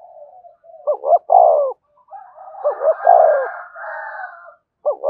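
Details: Decoy spotted dove cooing to rouse a caged male: repeated phrases of two quick low notes and a longer downslurred coo, roughly every two seconds, over a faint higher warbling background.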